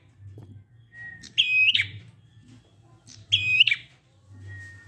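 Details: Prinia 'ngalun' song, meant to lure silent prinias into voicing: two intense, buzzy high phrases nearly two seconds apart, a faint thin whistle, and a low continuous hum underneath.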